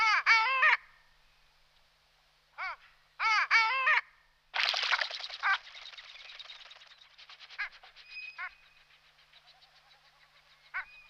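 Long-tailed ducks give nasal, yodelling calls in quick bursts of arching notes, followed by a harsher, noisier passage and fainter calls trailing off.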